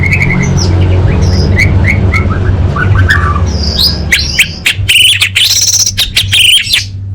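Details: Orange-headed thrush, full-variation song for training competition birds: a soft run of short whistled notes, then louder, dense bursts of rapid high chirps and trills, with a constant low hum underneath.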